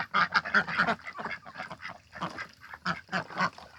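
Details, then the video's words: Domestic ducks kept in a backyard in spring, the mating season; harsh nasal quacks come in quick clusters, a run of four loud calls at the start, then scattered groups of two or three. "봄!!!이 오네요. 집오리가 교미를 하네요."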